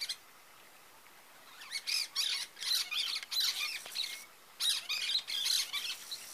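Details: Pair of cactus parakeets (Eupsittula cactorum), known in northeastern Brazil's Caatinga as periquito-da-caatinga, giving harsh, buzzy squawks in rapid bursts after a quiet opening second and a half, clustered notes with brief pauses, moderately loud against faint background.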